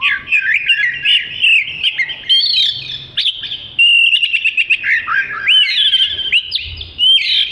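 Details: Oriental magpie-robin (kacer) singing energetically as training material for other birds: a continuous stream of varied whistles, warbles and quick up-and-down slurs, with short high trills woven through.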